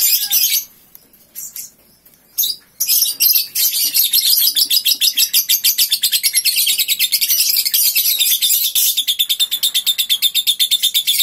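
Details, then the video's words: Three-month-old lovebird singing ngekek right after waking: a few sharp high chirps, then from about three seconds a long unbroken, fast, high-pitched rattling chatter of rapid repeated notes that runs about eight seconds to the end. "Paud 3 bln Bangun tidur langsung ngekek"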